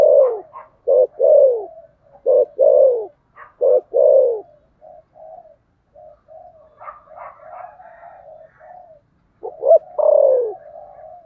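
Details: Fighting spotted dove cooing 'thổ sấm': short double notes lead into full, falling coos, repeated four times. Then comes a subdued passage of faint murmuring coos, and the loud phrase returns at the end.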